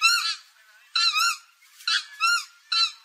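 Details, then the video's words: Purple swamphen calling, a recording from India used to lure birds into traps: harsh, honking, nasal notes with strong overtones, repeated roughly once a second in an uneven rhythm. "কালিম পাখির ডাক ২০২১। নতুন কালিম পাখির ডাক।"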